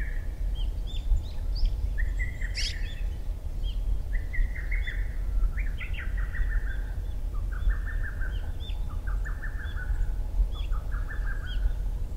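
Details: Lesser cuckoo singing in June just after 4 am at dawn, recorded with a Sony PBR-330 and ECM-CS3 microphone: repeated phrases of quick staccato notes, with small birds chirping around and a steady low rumble beneath.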